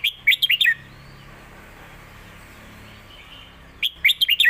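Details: Caged competition Red-whiskered bulbul singing its master song, used to teach young birds, alternating with drawn-out 'lak wai' phrases; two quick bursts of five or six clear whistled notes dropping in pitch, separated by a quiet pause of about three seconds.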